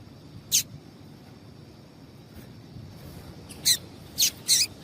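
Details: Female double-collared seedeater calling, a call used to make males sing: one short, sharp high chirp, then after a pause a cluster of three bright chirps near the end, over a faint low background hum.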